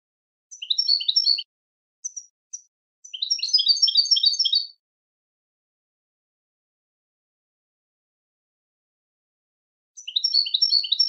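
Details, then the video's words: Goldfinch song played to teach and attract goldfinches: bursts of high twittering, tinkling notes in fast runs, one short phrase, a longer stretch near four seconds and another at the end, with silent gaps between. "Super Song To Teach And Listen To Goldfinches Birds"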